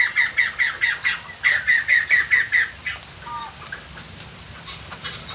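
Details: White-crested laughingthrush decoy song meant to draw in wild birds: a fast series of harsh, evenly spaced chattering notes for about three seconds, then a short lower note and softer scattered sounds.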